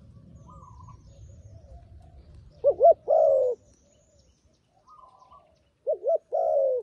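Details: Decoy dove calling wild doves down to a trap: twice a quick wavering double note is followed by a long coo, with faint higher chirps from another bird and some low background rumble.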